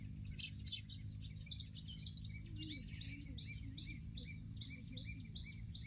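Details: Olive-backed sunbird singing in a garden, a quick series of high, thin twittering notes repeated in short bursts, over constant low hum and a faint humming tone.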